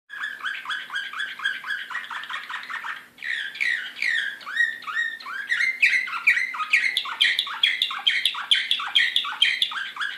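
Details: Excited Serbian slavujar-style canary singing, Belgrade, 2016: dense runs of fast repeated chirping syllables, one quick trill after another, with a brief pause near three seconds before a brighter, louder rolling phrase sequence; a faint steady hum underneath.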